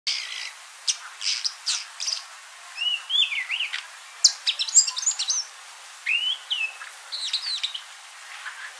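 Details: Mocking Cliff Chat (Thamnolaea cinnamomeiventris) at Mopani in Kruger, South Africa, on 15 June 2019, giving a varied run of sharp chirps and rich slurred whistles, some rising and falling, in quick bursts over a quiet background.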